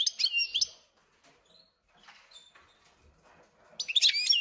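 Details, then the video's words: Short bursts of song from a caged European goldfinch and canary hybrid that arrived a few days earlier. Sharp varied chirps open the clip, then a quiet gap, then another lively twittering burst. "смотрим слушаем как поет гибрид"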